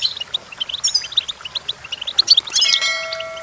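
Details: Goldfinch song meant as a training recording for young singers: quick twittering chirps and small trills, later joined by a steady, even-pitched tone holding through the final second.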